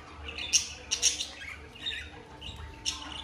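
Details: Mating calls from a cockatiel pair in breeding mood: a few sharp, piercing squawks in quick pairs, then softer scratchy chatter and a final shrill note, with a faint steady hum behind.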